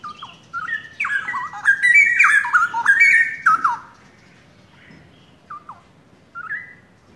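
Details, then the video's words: Captive young pair of straw-headed bulbuls, originally from the forest, in active song: a rich, dense burst of rolling, gurgling whistles for about three seconds, then quiet with two short, clear whistled phrases near the end. "Cucak Rowo Pasangan Muda Hutan...Gacor..."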